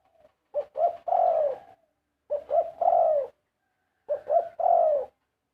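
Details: Zebra dove song in three evenly spaced phrases, each of quick rising notes and a long downward-sliding coo, about two seconds apart, with a faint low hum under one phrase.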